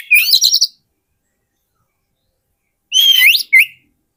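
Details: Lure song of Oriental magpie-robin for trapping wild birds: a scratchy warbled burst, long pause, then a bright whistled slur and a short sharp note.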